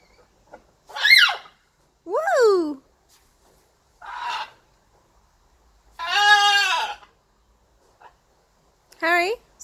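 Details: Playful pet blue-and-gold macaw calling in five separate bursts across ten seconds: a sharp rising-and-falling cry, a lower swooping one, a short harsh note, a long raspy squawk, then a final brief screech, with silences between.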